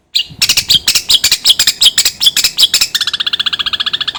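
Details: Long-tailed shrike lure song for rousing another bird to sing: rapid harsh chattering notes, about two or three per second, then a fast even buzzing rattle.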